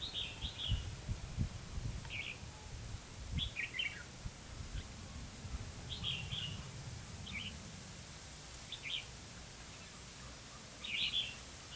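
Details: Red-whiskered bulbul at a trapping site in Hòa Mạc, Hà Nam, Vietnam, repeating short chirpy warbled phrases roughly every one to two seconds, with intermittent low thumps and rumble in the background.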